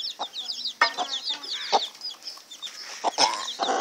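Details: Many chicks giving shrill, quick peeps in an unbroken chatter, punctuated by scattered deeper clucks and brief clicks.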